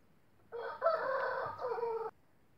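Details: A rooster of the Indian gamefowl breed, kept for breeding, gives one short, hoarse crow lasting about a second and a half, with a brief catch near the start and a flat, drawn-out end.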